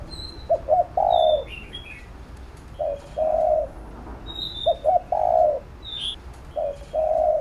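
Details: Spotted dove giving its training coo to excite a decoy bird: paired short hoots followed by a sustained low coo, phrases roughly every two seconds, with thin high chirps of small birds behind.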